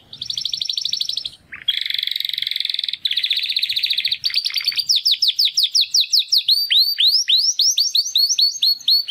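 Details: Two young Timbrado canaries, brothers hatched in the second breeding of 2020, trying to sing after their first molt: long buzzy rolling trills followed by evenly repeated sweeping downslurred notes.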